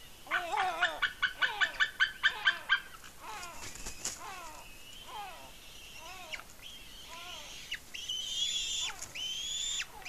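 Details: Excited eagle chick squeeing while it eats a fish at the nest, Smola, Norway, 7.12.18. Rapid staccato chips open the passage, followed by spaced downslurred notes and thin, sustained high whistles.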